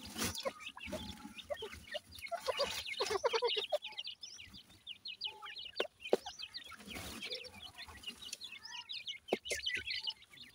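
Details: Cared-for grey francolin chicks from India cheep nonstop while feeding, bright short upward notes from many birds, punctuated by loud pecking clicks and bursts of rustling.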